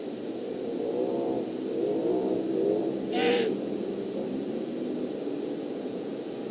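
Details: Male great horned owl whistling toward the end of mating, Montana owl cam, early evening of 8 March 2019; a run of soft arching whistled notes, then a short burst of brighter noise, all under persistent electrical hiss.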